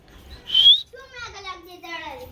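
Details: Pet cockatoo talking while dancing indoors: one bright rising whistle, then a run of wavering, voice-like harmonic syllables that slide downward, with no other sounds.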